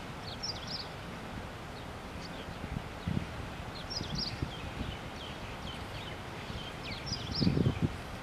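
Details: Common waxbill: a couple of common waxbills, wild birds in Hawaii, chirp while foraging in a field, giving thin, high chirps in short clusters every couple of seconds over steady low rustling and a few soft thumps.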